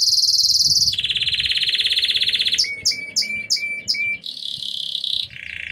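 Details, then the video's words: Belgian canary of intense yellow colour in full song, with a high rapid trill, a lower rolling trill, then five sharp repeated chopped notes, and further trills at two pitches. "CANÁRIO AMARELO INTENSO CANTANDO MUITO!!!"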